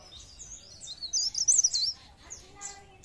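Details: Pare pare bird song meant to trigger singing in other birds: faint chirps, then a loud, dense cluster of very high trilled twitters in the middle, fading to scattered chirps and a low murmur.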